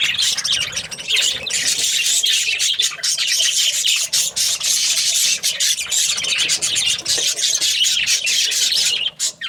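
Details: Continuous budgie chatter of rasping warbles and sharp chirps, almost without pause, thinning briefly near the end.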